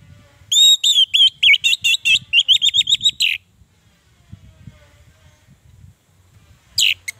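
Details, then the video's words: Orange-headed thrush, song used to trigger lazy caged birds: an emphatic series of about fifteen quick, harsh buzzy-whistled notes accelerating over three seconds, then quiet with faint low rumble, and one last sharp note. "Suara Anis merah panggilan, pancingan, masteran, terapi, Untuk Anis merah yang Macet & malas bunyi"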